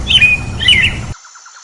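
Robin singing two quick, high warbled phrases of sliding whistles in just over a second, then the sound cuts off abruptly.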